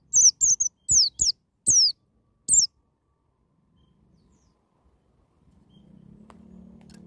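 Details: White-eye singing the "ngalas" wild style to provoke a young bird: a brief volley of six high, falling whistles, followed by quiet and then a low humming noise rising at the end.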